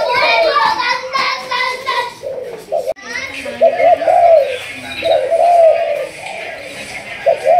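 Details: Malaysian spotted dove, a 'thúc gù' line decoy in training: loud harmonic, voice-like calls fill the first seconds, then a clear run of rising-and-falling coos follows, with pauses between phrases.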